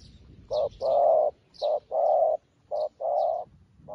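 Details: Spotted dove used as a decoy bird, new yet calling wild doves like an old decoy; loud, steady coos in short-long pairs, repeated three times, with soft high twittering of other birds between.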